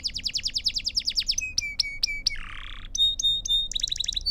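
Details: Belgian canary singing pure song for training young birds: quick repeated falling notes, a level whistled line with clicks, a harsh buzzy patch, then thin ringing tones and a fast trill.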